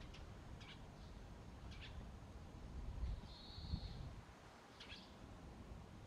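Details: Young common kingfishers calling early in the morning, around 8 to 9 a.m.: short, thin, high-pitched call bursts about once a second, with one brief, steady, high whistle in the middle, over a constant low rumble of background noise.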